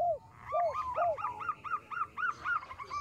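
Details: Local Indonesian zebra dove with a small voice, used as a lure for trapping birds; arched, down-curving coos repeat in a steady series, with fainter overlapping notes above and background noise.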